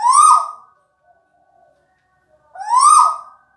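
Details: A Tuwu bird calling while relaxed, giving two loud, clear whistled notes that sweep upward and then drop off, about two and a half seconds apart, in an otherwise quiet indoor space.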